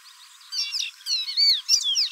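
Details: Pearly-bellied seedeater, Sporophila pileata, a Brazilian bird, singing: after a quiet half second comes a quick, varied run of high whistled notes, some sliding up and others falling, packed close together. The background is clean.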